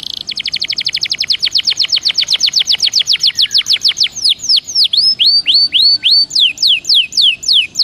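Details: Belgian canary song for warming up: a long, fast series of falling whistled notes that slows into spaced, looping swoops with sharp high tips.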